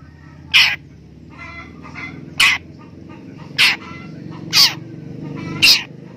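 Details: A long-tailed shrike being trained to become tame gives five loud, harsh, scratchy notes about a second apart, with softer chattering between them, while a man's low voice urges it to keep calling.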